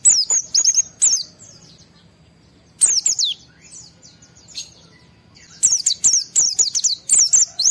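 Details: White-eye with high emotion, sung in gacor 'ngalas' fill style as a lure for other white-eyes; loud, shrill, rapidly repeated downslurred chirps in bursts broken by near-silent gaps.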